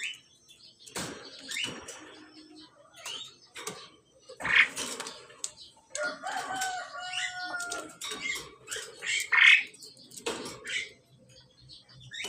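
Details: Male and female Asian pied starlings in the process of pairing: a jumble of harsh chattering notes mixed with clear whistles, some held level or gently sliding, in loud bursts every few seconds.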